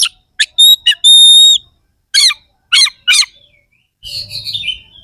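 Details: Oriental magpie-robin (kacer) in harsh fill-in song, played to make rival contest birds more aggressive: clipped sharp notes, a long pure steady whistle, then rasping buzzy bursts and a fading warble over a faint low hum.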